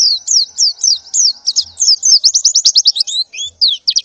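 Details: White-eye female in breeding condition calling for a male in the morning; high slurred chirps start spaced, then quicken into rapid rattling trills near the end.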